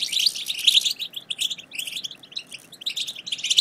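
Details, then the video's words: Goldfinch chatter aimed at getting silent goldfinches to sing, a liquid run of quick high chirps and twitters that rises and falls in loudness. "بتبتة وستستة رهيبة في تحفيز الحسون على التغريد - فعالة مع الحسون الصامت"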